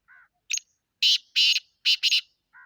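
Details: Black francolin calling in Sindh, Pakistan: a loud, harsh sequence of grating notes, with short buzzy bursts grouped in twos, preceded by a softer tonal note and closed by another low whistled note.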